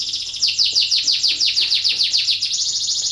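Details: Breeding-condition canary delivering song used to prompt other canaries to join in: a steady, rapid series of high, downward-slurred notes repeated several times a second, merging into a continuous buzzy trill at the end.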